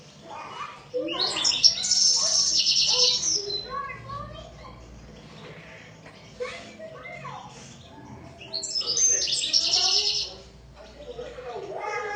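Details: European goldfinch singing two loud bursts of fast, liquid twittering and buzzy trills, separated by quieter chatter; soft lower background sounds throughout.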